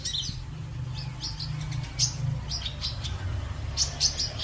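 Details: High-pitched sunbird chirps, brief and sharp, in loose clusters with short pauses, over a steady low rumbling background noise.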